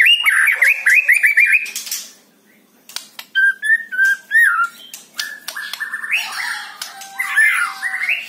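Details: White-rumped shama song meant to get a captive bird singing: quick repeated whistled notes, a brief silence, then sharp clicks, clear whistles and varied warbling phrases.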